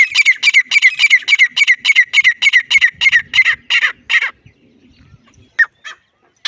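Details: Grey francolin calling loudly: a fast, regular series of harsh, ringing notes for about four seconds, then quiet with faint low rustling and a couple of isolated sharp notes.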